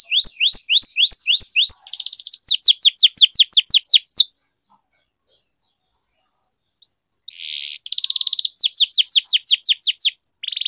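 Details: Canary tutor song for training young birds: repeated loud down-slurred whistles and rattling trills, then about two and a half seconds of silence, then the song resumes with a buzzy burst and more descending sweeps.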